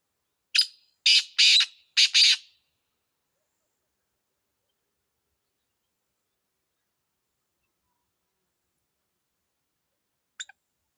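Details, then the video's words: Black francolin (kala teetar) calling: four harsh, grating notes in quick succession in the first few seconds, then silence with a faint click near the end. "Kala Teetar ka khubsurat Awaz"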